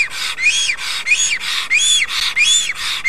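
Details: Black stork meeting its mate at a nest in Estonia's Karula National Park, from a fixed nest camera; harsh, breathy calls, each with a rising-then-falling whistled arc, delivered in a quick regular series.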